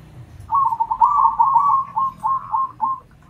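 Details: Local and crossbred zebra doves calling back and forth, all joining in; a clear rolling trill of cooing notes breaks into short separate bursts, each spaced about half a second apart, with faint low background rumble.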